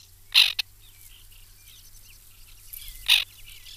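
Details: At a White-winged tern nesting colony, 2021: two loud, grating rasps about three seconds apart, the first followed by a short clipped note, with faint twittering calls in between.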